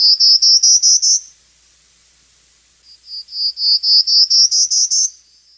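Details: Prairie warbler (Setophaga discolor) song in spring, around its April arrival: two quick series of thin, buzzy notes climbing steadily in pitch, the second run longer at about a dozen notes.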